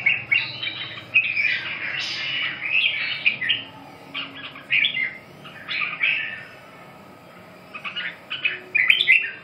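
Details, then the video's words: Red-whiskered bulbul song: short bursts of loud, rich warbling notes separated by brief pauses, some phrases rising and falling, with a faint steady low hum beneath. "chim Chào mào"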